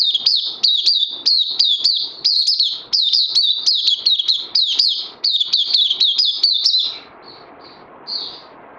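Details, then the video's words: On 31 May 2020, day 2 of Lava plus Life Force supplements, an oriental white-eye delivers an excited high chatter of repeated sharp upslurs, around 87 per minute. After about seven seconds it fades to a few soft isolated notes. "Puteh Crazy LG"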